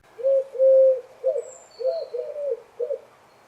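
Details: Eurasian collared dove (Streptopelia decaocto) cooing, the call given while perched on a tree or other perch: low, hollow hoots, a longer note early on, then shorter repeated coos; thin, high whistles from another bird faintly heard.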